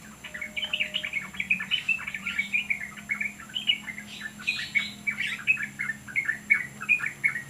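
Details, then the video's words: Yellow-vented bulbul singing very actively: a lively string of short, bright, bubbly chirped notes, several each second, continuing steadily, over a faint steady low hum. "BURUNG TRUCUK SUPER GACOR"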